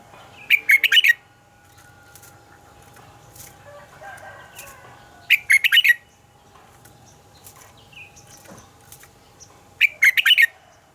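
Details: Red-whiskered bulbul singing its morning song, a double-note song of a forest-matured bird, recorded as a model for training birds. Three loud, rich phrases of rapid stacked notes arrive about every five seconds, with quiet gaps between them.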